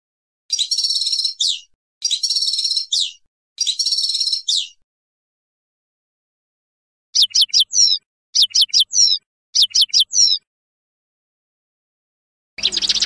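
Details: European goldfinch song in the passades style: three buzzy, trilled high phrases, a pause, then clusters of quick wavering twittered notes, with abrupt silent gaps between sections.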